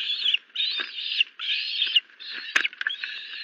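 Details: Osprey at a nest in the morning of 30 June 2022, after an adult, thought to be the male, brought a live duckling as prey, with a young bird present. Harsh, loud calls in rasping bursts of about half a second, repeated several times, with knocking sounds near the end.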